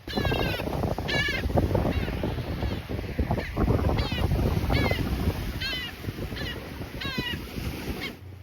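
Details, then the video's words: Black skimmer at low tide on the beach at Lovers Key, August 20, 2025, giving short, nasal, barking yaps, about ten in eight seconds, over steady rushing surf. The bird was angry and about to dive-bomb the person nearby. "So I'm going to be quiet just for a little bit so you can hear the black skimmer."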